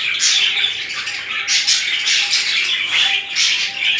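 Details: Budgerigars during mating, with romantic displays between a pair, giving continuous scratchy, squawky chatter, dense warbling bursts with occasional sharper squawks, indoors.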